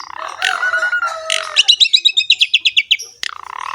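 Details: Jalak suren singing gacor ngerek: hoarse, noisy opening phrases, then a fast rattle of about a dozen evenly spaced buzzy notes, a sharp click and a low nasal churr closing the passage.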